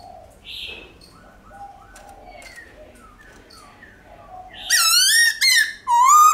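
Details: Soft scattered notes give way to loud, wavering, overtone-rich whistles and a final rising whistle from a White-cheeked laughingthrush singing its forest-style song, meant to stimulate pet birds to sing along.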